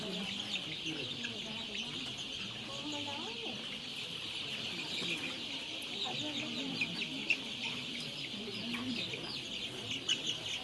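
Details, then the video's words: Poultry farm chicks in Kurunegala, Sri Lanka, calling together: brief rising and falling peeps overlapping continuously, with a loud steady mechanical drone throughout. "chicks sound effect"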